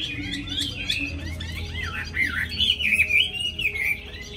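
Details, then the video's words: Caged tame Hwamei with a wild-type voice, a fast singer that sings as soon as it is hung out, delivering a varied run of rich whistled phrases that slur up and down, with looping warbled notes in the middle and a faint low hum behind. "họa mi thuần giọng rừng hay cực mau mỏ hót suốt móc ra là hót"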